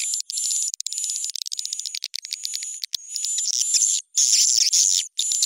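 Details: Swiftlet lure call for swiftlet houses, digitally upgraded with raised pitch and tempo: dense bursts of high, dry chirping twitters broken by short gaps, over a steady thin high whistle running almost throughout.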